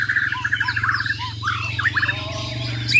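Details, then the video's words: Champion Bornean white-rumped shama from Muara Wahau in a contest: fast rattling trill, soft looping whistles, then sharp V-shaped slurred notes and chatter, with a constant low hum. "BURUNG JUARA MURAI BATU BORNEO "MUARA WAHAU" || FULL ISAIN BESETAN DAN TEMBAKAN"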